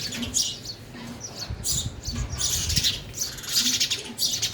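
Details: Several sparrows at a feeder while eating, producing a busy tangle of high, overlapping chirps and squeaky notes, with some low rumbling noise underneath.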